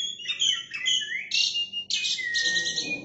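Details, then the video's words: Oriental magpie-robin singing vigorously while spreading its tail: a varied stream of clear whistles, rising slurs and harsher buzzy notes changing every half second, over a low background rumble. "kacer gacor maennya buka ekor"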